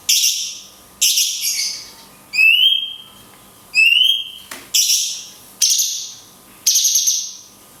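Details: A cungkok's long 'kunti' shot song with natural pauses, used in songbird training: loud falling whistles mixed with two clear, ringing notes that climb and level off, plus a short sharp click; soft steady hum.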